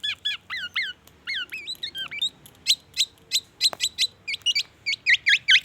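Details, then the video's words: Energetic black-naped oriole song loaded with white-rumped shama imitations: bright high chirps and short rising whistles delivered in quick separate bursts, roughly three or four per second, becoming shriller and more insistent toward the end. "SUARA BURUNG KEPODANG EMAS GACOR BONGKAR ISIAN MURAI BATU"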